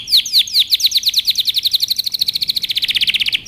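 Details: Canary singing for young birds to learn from: sharp descending chirps repeated ever faster, running into a very rapid, even trill.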